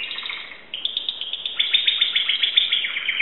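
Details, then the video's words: A Belgian canary, kept as a pet timbrado canary in Greece, sings a fast, continuous stream of high, rattling trills and chirps, the notes pulsing rapidly and rising in intensity. "canary timbrado singing song"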